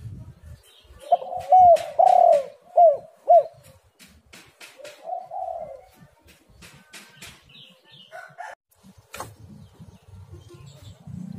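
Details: Spotted dove coos played as a lure to make idle birds call: a rapid run of four or five loud, bent, throaty notes, a softer drawn coo afterwards, scattered clicks and a faint higher call late on.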